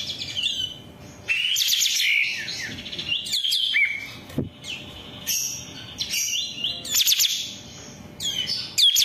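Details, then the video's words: Varied long-tailed shrike song used to train captive birds, made of sharp whistled sweeps, chattering notes and squeaky slides in irregular bursts with short gaps, over steady background noise. "SUWARA BURUNG CENDET"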